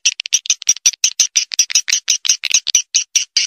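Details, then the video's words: Swiftlet attraction call: a steady run of short, high, twittering chirps, evenly spaced at roughly six per second, sharp and clicky, with nothing else audible. "SUARA UNDANG WALET"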